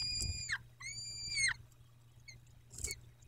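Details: At a nest in Dobra, 14 May 2021, 14:18, a peregrine falcon gives two long, level, harmonic wails that drop sharply at the end, followed by quiet with a faint rustle.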